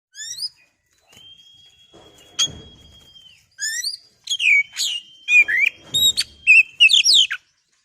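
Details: Oriental magpie-robin song used as a lure to rouse other birds into singing: varied sharp whistled and chattering notes, partly harmonic, with a long steady high whistle held for about two seconds before a rapid burst of phrases.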